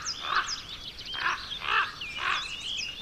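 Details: Young common ravens in Côtes-d'Armor, Brittany, France, give harsh, rasping calls about every half second, with high, thin chirps from small birds in the background.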